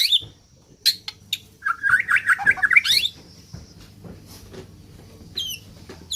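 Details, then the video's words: Neglected white-rumped shama from Borneo with a voice described as strange: sharp high notes, then a quick run of rising and falling chattering whistles, followed by quieter scattered high notes. "murai ga terawat ternyata memiliki suara aneh"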